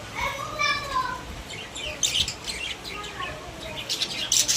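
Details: Caged pet budgerigars chattering: a run of quick warbled notes sliding up and down in pitch, then bursts of sharp, high chirps and clicks toward the end.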